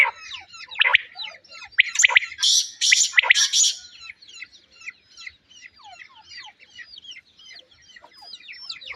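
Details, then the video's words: Quail chatter in dense, overlapping high chirps and squeaks, with a few harsher, louder bursts of noisy squawking early on. "Quail calls and loud noises"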